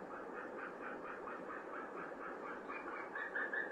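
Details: Norwegian white-tailed eagle pair at the nest on 8 February, after the male brings hay, sings together in a fast, even series of yelping notes, about five a second, ending in a few higher, clearer whistles.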